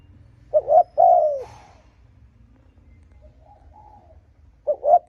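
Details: Spotted dove cooing to stir up and lure wild rival males: two loud double-noted coo phrases, a short note and a longer falling one, separated by a softer, fainter coo in a quiet background.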